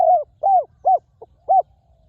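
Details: Wild spotted dove at a ground decoy, praised for its very resonant voice, giving four soft, hollow arched coos with a tiny clipped note between the third and fourth.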